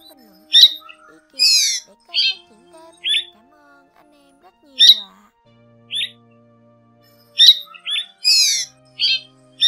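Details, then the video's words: Striated swallows give bright, twittering chirps and short squeaky notes in irregular bursts, a flock call, with a faint low hum and tonal background underneath. "Tiếng Én Bụng Rằng , Nhạn Rằng"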